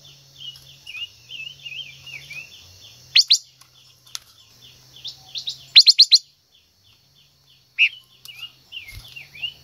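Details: Singing female silver-eared mesia trying to stimulate a male gives clusters of loud, sharp chirping notes between quieter sliding warbles, with a steady background ticking of insects.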